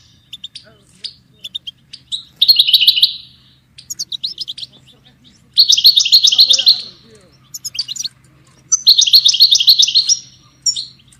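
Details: ['Goldfinch song for training songbirds: scattered sharp chirps lead into three dense, rattling trill bursts of rapid notes, each lasting about a second, with a faint low hum beneath.']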